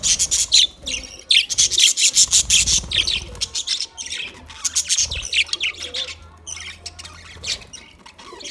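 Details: Several budgerigars squawking and chirping in rapid harsh bursts, about three per second at first, then softer chatter with scattered chirps.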